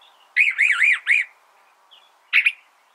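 California Thrasher singing a quick run of four rich, looping, slurred phrases, then a pause and one short burst. The setting is otherwise quiet.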